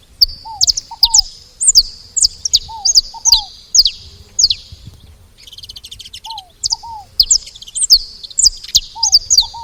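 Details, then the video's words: Noisy saffron finches at a feeder give dense, sharp high chirps in clustered bursts, with a short buzzy rattle midway and low paired curved whistles recurring at intervals. "Canário da terra fazendo barulho na seva"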